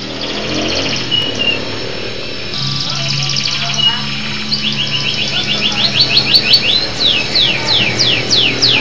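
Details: Local canary singing, opening with mixed buzzy notes and a steady tone, then a fast run of repeated rising-falling trills and broad descending sweeps, with a low hum underneath.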